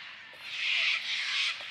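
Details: A big flock of cockatoos in mountain ash and tree fern forest of the Dandenong Ranges, Victoria, Australia, gives harsh, raspy screeches swelling in two loud bursts over a steady hiss.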